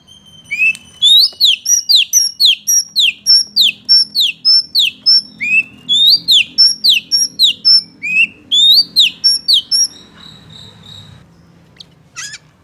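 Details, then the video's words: An oriental magpie-robin song meant to anger rival males. A long, fast stream of about thirty sharp, high whistled notes, mostly swooping downward, pours out for ten seconds before ending in softer chatter and a final faint squeak. "KACER MANAPUN BAKAL EMOSI DAN NGAMUK NGAMUK SETELAH MENDENGAR KICAU KACER INI"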